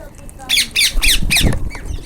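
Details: Wild Indian ringneck parakeets: four loud, harsh, rasping squawks in quick succession about a quarter second apart, followed by fainter calls in the background outdoors.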